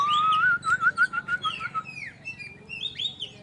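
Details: White-rumped shama showing off. It sings a quick run of repeated whistled notes, then varied higher sweeping and slurred phrases, with a low background hum.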